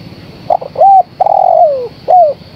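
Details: Female spotted dove calling for the male. A complete phrase of two stuttering notes, a smooth arched coo, a long downward-gliding coo and a brief falling final coo, sounding low and mellow over quiet surroundings.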